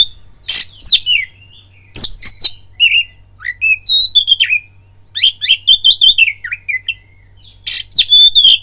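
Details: Oriental magpie-robin singing a provoking lure song to stir fighting urge: rich mix of sweet whistles, trills and scratchy rasps in rapid varied phrases, with brief gaps between bursts.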